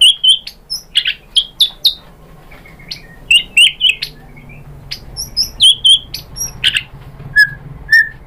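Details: White-rumped shama song played to stir other shamas into singing: scattered sharp high chips and short whistles in loose bursts, with two lower whistled notes near the end.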